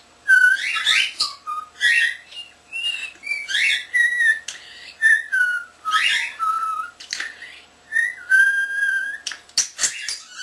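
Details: Pet common starling under a year old, whistling a tune indoors: a series of clear whistled notes and slurred phrases, rising and falling, with short scratchy notes at the end.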